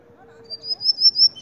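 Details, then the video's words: White-collared seedeater (Sporophila torqueola) singing in Mérida, Yucatán: a brief low steady tone, then a thin, high, sustained whistle that wavers slightly and climbs in pitch over about a second. "Sporophila torqueola ( dominico cantando )"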